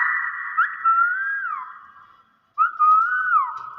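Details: Nias hill myna (Gracula robusta), a talking pet being coached to greet, gives two clear, fluty whistled phrases, each sliding up and down, separated by a brief silence.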